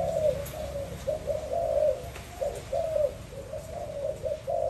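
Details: Spotted dove, recorded 2021: grouped hollow coos in uneven phrases, some notes drawn out, others clipped short, over a quiet background.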